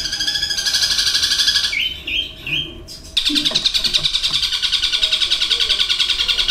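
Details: A kept long-tailed shrike singing borrowed phrases. A fast, buzzy trill is followed by three short whistled slurred notes and a pause, then a long, even, high-pitched rattle resumes.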